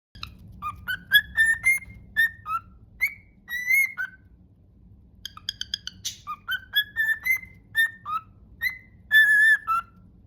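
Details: Pet cockatiel singing a tune it is trying to imitate, the Totoro song, not quite managing it: a string of clear whistled notes around one pitch, short and sliding, some held, in two phrases separated by a pause, with a faint low hum beneath.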